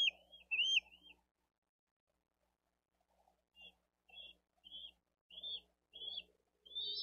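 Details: Bald eagle chick on a Dade County nest, seen on a nest cam on 13 April 2023, the little one asking for food while an adult feeds its older sibling: thin, high whistled peeps, short and slightly rising, repeated in a quick uneven series, over a faint low hum.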